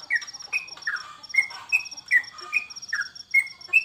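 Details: Sooty-headed bulbul, called trucukan, while bird contests are off during the COVID period. Repeated short whistles, some sweeping down, roughly every half second, accompanied by an unbroken fast high ticking.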